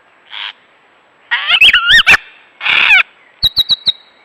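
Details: A lyrebird, a vocal mimic known to copy chainsaws, camera shutters, car alarms and human voices, runs through mimicked sounds: a short buzzy burst, wavering warbled whistles, a harsh rasp, then four quick clicks over a thin high tone.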